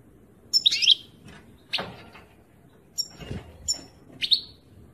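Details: European goldfinch twittering in quick, high, buzzy and liquid bursts, several phrases in five seconds, with a few dull knocks in between.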